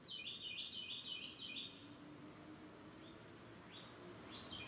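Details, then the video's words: Florida bird song opens with a rapid burst of high, repeated chirps lasting under two seconds. Scattered single higher notes follow over a soft, constant background rumble. "Florida Birds Singing"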